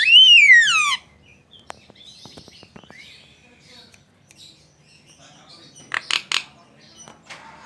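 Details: Javan myna song meant to draw replies from other mynas: opens with one loud, long whistle gliding downward, then soft clicks and scattered chatter, and a short cluster of harsh notes later.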